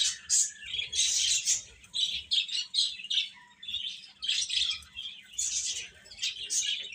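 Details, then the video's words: Noisy chick chorus: repeated shrill peeps in quick clusters, louder at the start and again near the end. "Cute Chicks Chirping Sounds"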